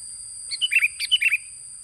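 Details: Sooty-headed bulbul song played to draw birds in: two back-to-back cheerful, gurgling phrases, each a rapid string of liquid whistles stepping downward, repeated with nearly identical pattern in close succession.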